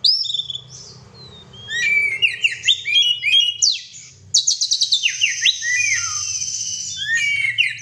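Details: Oriental magpie-robin kept as a pet, singing loudly in a lively, vigorous style: varied whistled phrases with sharp downslurred notes and rapid trills, a short pause partway, then a long sustained high whistle with chattering notes beneath, over a faint low hum.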